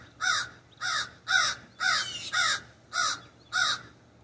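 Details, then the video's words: A backyard raven calling from an ash tree, heard through a sunroom window, gives eight rough, grating caws at an even, brisk pace with short gaps between them. "The Distinct Call of the Raven"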